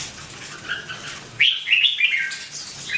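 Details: Red-whiskered bulbul giving a loud, clear warbled phrase of several rapid whistled notes, preceded by softer background chirps.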